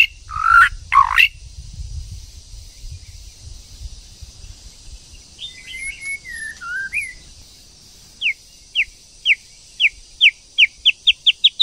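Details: Female and male white-rumped shama, the female goading the male to sing: two harsh rasping notes, soft warbled whistles, then a run of sharp high notes quickening toward the end.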